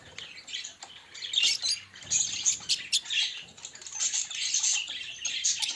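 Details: Pet budgerigars, one of them green, chattering steadily: a busy stream of high chirps, squeaky warbles and short buzzy notes from several birds, over a soft low hum.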